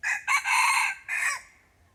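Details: A red junglefowl, drawn in by a decoy bird, crows loudly in three parts: a short opening note, a long strained middle, then a final note that falls away. The surroundings are otherwise quiet.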